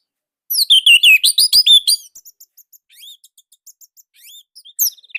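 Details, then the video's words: Orange-headed thrush from Indonesia with a loud, tight song style used as a master tutor for other birds: a burst of fast, loud rising and falling whistled phrases, then softer scattered high twitters and chips. "KICAUMANIA Anis Merah Indonesia //Masteran Paling Enak."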